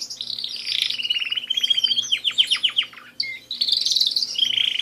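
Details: Pet canaries in full song: a long run of rapid descending chirps that quickens into a rolling trill, a brief pause with a single whistle, then a dense high warbling tour over a soft low hum.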